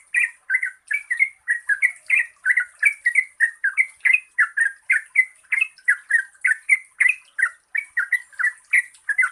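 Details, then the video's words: Continuous bubbly chatter of a yellow-vented bulbul played to coax quiet birds into singing, short warbled notes tumbling in quick pairs and triplets, steady and loud throughout, faint high hiss in background. "Pancingan Trucukan Gacor Ropel Panjang COCOK untuk BURUNG TRUCUK MALAS BUNYI"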